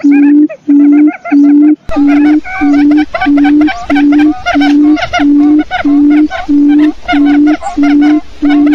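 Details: Quail lure sound: after a brief quieter opening, a burst of dense chattering and curved whistled notes runs on, accompanied by an even low beep repeating steadily about every 0.6 seconds.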